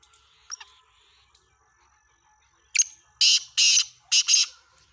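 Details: Black francolin, known locally as kala teetar, 17 February 2023: after quiet chirps from other birds, a loud grating phrase of a sharp opening note and three harsh, buzzy, drawn-out notes.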